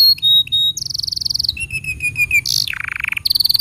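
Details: Canary training song meant for young birds and ones gone quiet: short pure whistles, then a rapid trill, a lower stuttering tour, a harsh burst and a fast low rattle, closing with a high rapid trill.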